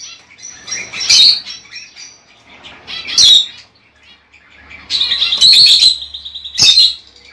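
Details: Lovebird calls used to encourage a female to lay eggs: a few loud harsh squawks separated by soft twittering, with a longer buzzy chattering burst near the end and a faint low hum.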